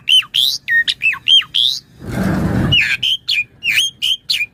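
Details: Asian pied starling song used to train and prompt other starlings: quick chattering whistles that loop up and down, broken midway by a short burst of broad rushing noise, then more varied whistled and squawky notes.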